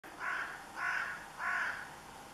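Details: Carrion crow calling at Kerk en Zanen: three harsh, hoarse caws spaced about half a second apart, each short and rasping, over a quiet background.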